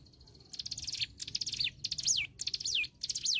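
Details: A Hill Prinia sings bright, high phrases of rapid notes, several ending in a sweeping downward slur, about one phrase every half-second, over a faint low rumble. The recording serves as a tutor song for songbirds.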